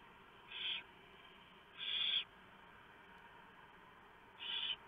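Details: Barn owl nest, 3:59 AM, 3 November 2015: the male arrives with a huge mouse and the female feeds pieces to the owlets; three short, harsh hissing bursts, irregularly spaced, over faint steady noise.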